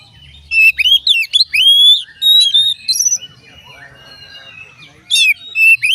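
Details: Oriental magpie-robin singing, used to set other magpie-robins singing: a dense series of loud, clear whistled notes, some swooping upward, in quick bursts through the first three seconds, a quieter chattering gap, then more ringing phrases.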